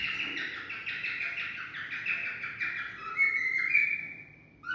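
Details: Cockatiel singing to stimulate mating: a rapid, even series of short chirped notes repeated for several seconds, ending in a couple of longer clear whistles, over soft background hiss.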